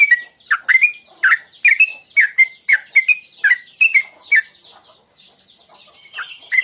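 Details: Sooty-headed bulbul in the 'tuklik tuklik ngingklong' lure pattern for drawing out song: a steady string of about twelve liquid, up-and-down chirps over four seconds, then a pause and a faint soft chatter.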